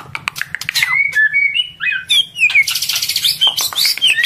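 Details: Breeding-condition female white-rumped shama feeding its chick, its call meant to stimulate males; slurred rising and falling whistles with sharp high chirps, over a low hum.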